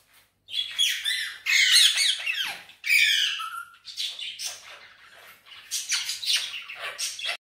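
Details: Pet green Indian ringneck parakeet, talking in Urdu/Hindi, utters loud scratchy squawks and rapid chattering phrases with whistled slides, continuing in bursts with short gaps.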